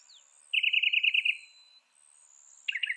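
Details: Northern mockingbird giving a fast, even trill of about ten notes lasting around a second, then a brief burst of a new phrase, a high insect hum persisting throughout.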